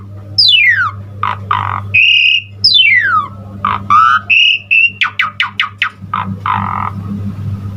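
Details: Asian pied starling pouring out a varied fill-packed song to spur other starlings: downward-sweeping whistles, buzzy stacked bursts, level whistled notes and a quick series of sharp clicks, over a continuous low hum.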